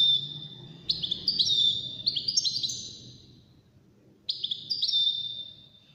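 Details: European goldfinch, one of five wild-caught contest birds, pours out high jangling whistles and rapid chirps in a long burst, falls silent, then resumes with another bright phrase, over low background noise.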